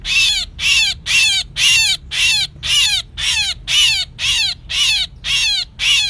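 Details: Trapping lure of a calling myna, 2024: twelve loud, scratchy bursts with descending whistled edges, repeated evenly about twice a second, nothing else audible.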